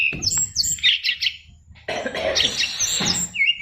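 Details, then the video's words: Caged SRDC Fighter oriental magpie-robin singing full fill-in phrases: brief whistled and chattering notes, then a harsh, noisy rasping stretch ending in a clear short whistle, with background noise throughout. "SRDC Fighter isian luber"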